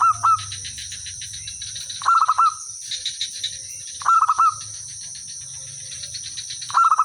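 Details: Lure-singing Zebra dove: short bright staccato coo phrases repeated roughly every two seconds, each a fast bubbling stutter, with a constant high insect whine in the background.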